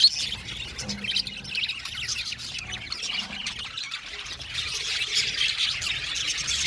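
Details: Blue male budgerigars in a noisy group, with raspy squawks and high chatter overlapping throughout; the chorus swells louder and busier toward the end.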